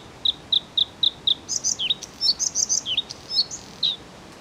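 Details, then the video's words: Bluethroat singing: five evenly spaced sharp high ticks lead into a fast, varied phrase of ringing whistles, buzzy slurs and dipping notes, with faint hiss behind. "The song of the Bluethroat"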